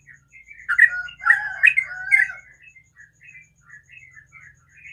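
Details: Yellow-vented bulbul in the morning giving a loud tangled burst of warbled, gurgling notes, then a quieter run of short chattering phrases; a faint low hum and a thin high whine run underneath.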